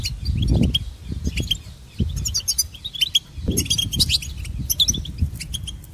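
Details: A European goldfinch, known for copying other birds, gives scattered sharp chirps and quick twittering runs in loose phrases. Intermittent low thumps and rumbling sounds in the background.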